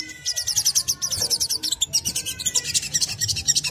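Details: Fast, pulsing high-pitched trill of a crimson sunbird, steady and rhythmic throughout, in the chattering style used to draw song from other sunbirds.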